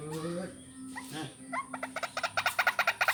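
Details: White-breasted waterhen lure call for vocal training: after a few low voiced notes, a fast run of short, harsh, evenly repeated pulses builds in loudness over the last second and a half.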